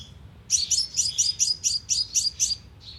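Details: Lure recording of a sunbird used with a speaker trap, Vietnam: a quick series of about nine high, sharp chipping notes, evenly spaced, ending in a short thin trill.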